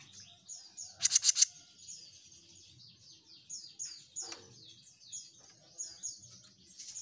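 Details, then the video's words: Jenggot Mini in full, lively song: a string of high, quick downslurred whistled notes, several per second, with a brief burst of loud sharp clicks near the start. "JENGGOT MINI GACOR"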